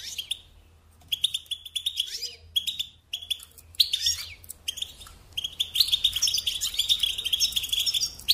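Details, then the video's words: European goldfinch song from a kept bird: rapid, bright, tinkling twitter phrases with buzzy trills broken by short pauses, a steady high ringing thread running through each burst. "Supporting and Singing Along with Goldfinches"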